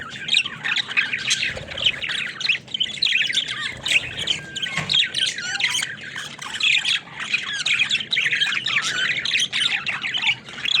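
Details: Several pet budgies described as talking give rapid, rising-and-falling warbled chirps and scratchy squawks in quick bursts, a lively nonstop twitter.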